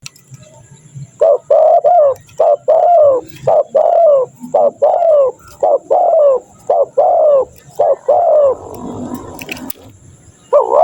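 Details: Spotted dove call played to lure wild doves: a long run of about eleven hoarse, hollow coos, each a short two-part note spaced roughly every half second to second, ending in a rougher blurred stretch; a faint steady high hiss runs behind.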